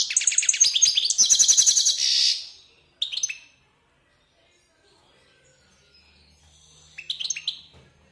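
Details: European goldfinch, a one-year-old caged male that has fathered three hybrids, sings in wild style: a dense, rapid twittering trill for about two seconds, a short burst of notes, a pause, then more bright chirps.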